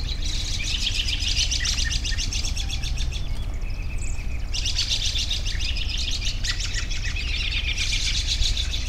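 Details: A busy chorus of high, twittering birds in long bursts with a short pause midway, over a continuous low hum.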